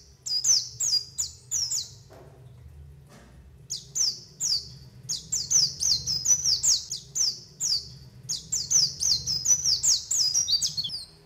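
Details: White-eye calls used as a lure to get other white-eyes to open their beaks and sing, and for trapping: thin, high, downslurred chirps repeated in loose bursts with short pauses, over a faint low hum.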